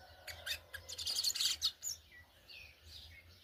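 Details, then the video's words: Brown-plumaged Yellow-bellied Seedeater giving a churrio-style song: a quick burst of sharp, high chirps and trills packed into about a second and a half, then a few softer scattered notes, over low steady background rumble. "Coleiro Baiano pardo churrilhando"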